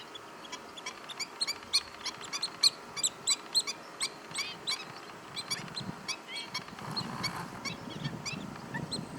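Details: Marsh Sandpiper (Tringa stagnatilis) at Jamnagar, Gujarat, India, in January 2020, giving sharp, high, clipped notes about once a second in an uneven series, with a low rumbling noise toward the end.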